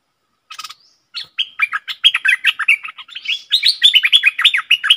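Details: Decoy bulbul singing and chattering at wild birds: after a short rasp, a continuous lively flow of rapid whistled and slurred notes, growing louder and denser toward the end.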